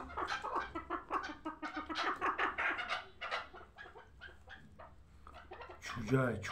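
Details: Young hybrid chukar partridges raised for fighting and hunting give fast, throaty chuck notes in uneven bursts, a louder harsh cluster near the end, with a low background hum.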